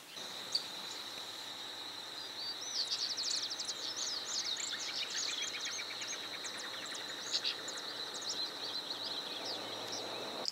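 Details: Brown-chested martin in Santa Fe, Argentina, 2023: a burst of quick gurgling, twittering chirps runs for several seconds over a steady high insect-like whine.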